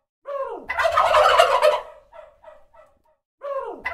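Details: Turkey making noise: a falling nasal note slides into a loud, burbling gobble lasting about a second, then three or four short fading notes, with another downward-sliding call starting at the end.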